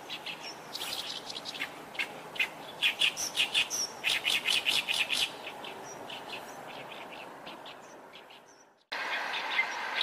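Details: Oriental reed warbler giving a loud, raspy, chattering song of rapidly repeated harsh notes with some thin high squeaks, fading out, then a sudden cut and steady noise.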